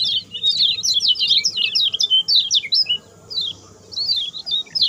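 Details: Short, speedy lemon-bellied white-eye song for training other birds: a tight cluster of high twittering notes, a short silence, then a few more chirps at the end.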